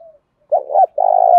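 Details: A short burst of spotted dove 'thúc' cooing, Đấu Bổi style: a faint trailing note, a wavering rising coo, then a strong, steady, buzzy-edged coo that is cut off abruptly.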